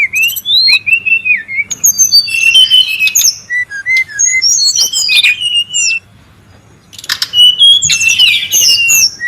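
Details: In the wild, a noisy brown-chested jungle flycatcher gives long varied phrases of high whistles, wavering slurs and twittering notes, with a brief silence before another rich, tumbling phrase.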